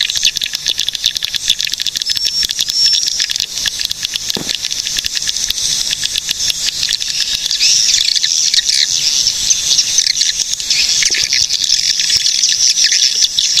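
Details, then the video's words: Cilacap, Central Java swiftlet sound used to lure and train birds: a long stream of rapid, even clicking with high, thin twittering chirps weaving through it, continuous with no pauses. "SUARA BURUNG PANGGILAN WALET GACOR"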